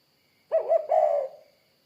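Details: Spotted dove uttering one low cooing phrase, a quick broken start and a longer rolling coo that trails away, over a faint constant high-pitched hiss.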